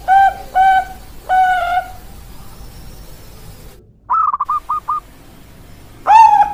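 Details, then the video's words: Bangkok perkutut zebra dove song: three rich, nasal cooing notes, a pause, a short burst of rapid rolling trilled notes, then another mellow coo. "suara perkutut bangkok"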